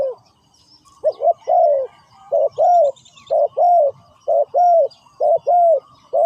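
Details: Decoy spotted dove calling to attract wild birds during ground trapping; low mellow coos come in clusters of two quick notes followed by a drawn-out downslurred note, repeating about once a second.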